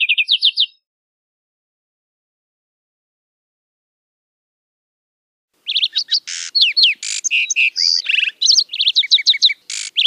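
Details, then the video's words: A lark sparrow gives a brief opening trill, pauses, then runs into a long, jumbled string of clear notes, fast trills and buzzy churrs, high-pitched and varied. "Lark Sparrow Singing! Lark Sparrow Calling!"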